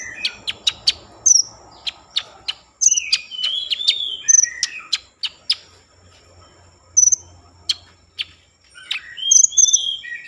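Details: Common iora song meant to trigger breeding mood and singing: spaced sharp ticks and high whistled notes with slurred, rising phrases and gaps between them.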